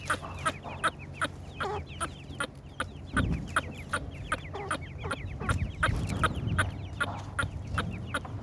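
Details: High, descending peeping from several partridge chicks, rapid and overlapping, mixed with regular sharp knocks and a low background rumble.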